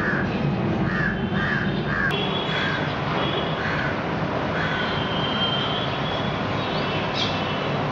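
Common babbler giving a few harsh, nasal, somewhat caw-like notes in short bursts. A steady low rumble like passing traffic or a train nearly covers them.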